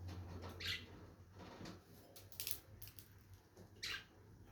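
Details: Lovebirds giving short, shrill, high chirps, three spaced bursts over about four seconds, against a steady low hum and soft background rustling.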